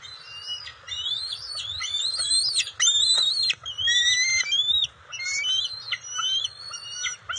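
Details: Bald eagles at their nest on June 27, 2021, the adult female delivering fish to the eaglets; loud, high, piping whistled notes with squeaky, chattering inflections, rising and falling in quick irregular runs, with brief pauses.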